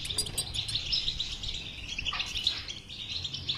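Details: European goldfinch, caged, singing to stimulate a silent goldfinch into song: continuous high twittering and tinkling chatter with fast trills, steady throughout, faint low hum beneath.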